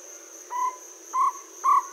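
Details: Jungle owlet (Glaucidium radiatum) at Aldona, 4 March 2014, 7.16pm, giving three short, mellow hooting notes about half a second apart over a steady high-pitched cricket drone.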